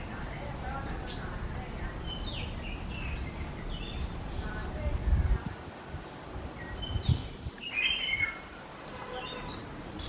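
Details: White-rumped munias at a bird feeder in Kerala: thin high chirps and short twittering notes scattered through the clip over a steady low rumble of background noise.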